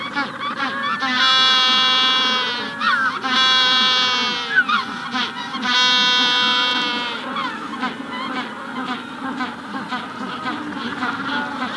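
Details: Magellanic penguin in a colony at the hatching stage giving long, loud donkey-like brays, each held about two seconds and introduced by short gasping notes. Other colony calls run underneath, with a rufous-collared sparrow in the background.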